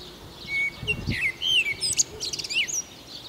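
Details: Blackbird song from Chios: a thin sustained whistle followed by rapid, high twittering and squeaky slurred notes, with faint background rustle.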